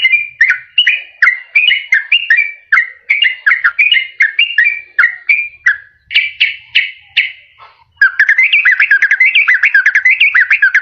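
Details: Sooty-headed bulbul song used as a lure to trap wild birds or to prompt quiet captive birds to sing: bright whistled phrases dropping in pitch, repeated rapidly, then a fast bubbling chatter toward the end.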